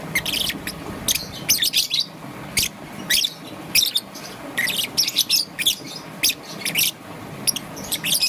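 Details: Young green and yellow peach-faced lovebird chirping in the morning: sharp, harsh, high chirps in short bursts and clusters, irregularly spaced, with a low background hum.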